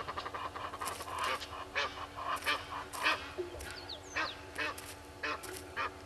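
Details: A Red-billed hornbill looks for food in front of the camera tree at Gowrie dam waterhole, Djuma Game Reserve, Sabi Sand, South Africa, at 07:13 on 25 July 2021. It gives a steady run of nasal, clucking notes, about two per second. Thin, high whistles come from another bird.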